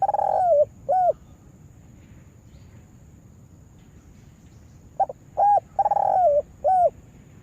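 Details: Spotted dove kept as a lure bird for trapping, cooing in loud low phrases: short hooked notes then a long purring coo that dips at the end, two phrases about four seconds apart, steady faint hum behind.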